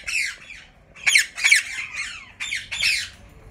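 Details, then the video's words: Yellow ringneck parakeet pairs in Mian Channu giving harsh, grating squawks in irregular bursts, about five loud calls in under four seconds, each with a rough, rasping quality and a slight fall in pitch, in a quiet room. "Yellow ringneck pairs"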